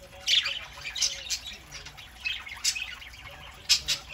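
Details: Pet budgerigars indoors on a Saturday morning, a flock kept together including a young bird: busy high-pitched warbling chatter with scratchy squawks and chirps bursting every half second or so over a continuous twittering background.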